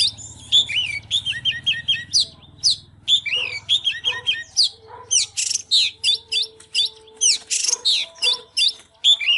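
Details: Oriental magpie-robin fired up in song and display dance: dense, rhythmic bursts of chirps, whistles and rasping notes repeated about twice a second, over a low droning hum.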